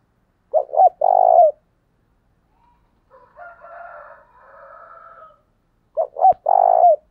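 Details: Decoy spotted dove calling to stir up wild males. A low coo-coo then a long purring croo opens and closes the recording. Between them comes a fainter, higher, rasping, drawn-out sound.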